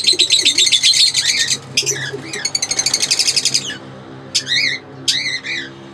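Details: Two pairs of Fischer's lovebirds, a green pair and an albino red-eyed pair, chatter in rapid, shrill high chirps and buzzy trills, with sharp squeaky notes near the end and a low background hum.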